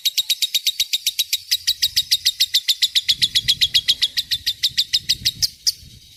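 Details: Lovebird delivering a long 'ngekek' chatter, kept as a master recording for teaching other birds: a steady run of sharp, high, buzzy notes, about four per second, unbroken for nearly six seconds before trailing off.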